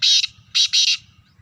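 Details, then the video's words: Black francolin calling in Sindh, Pakistan: harsh, grating bursts, one long then two quick rasping notes, loud and close against a low background hum. "Kala Teeter sindh Pakistan"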